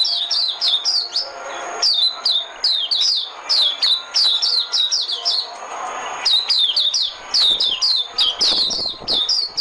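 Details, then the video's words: White-eye lure song: long, busy runs of thin, high, downward-slurred notes repeated in rapid succession, with small breaks between energetic phrases. "Tiếng chim mồi - Tiếng chim khuyên mồi hay nhất 2017"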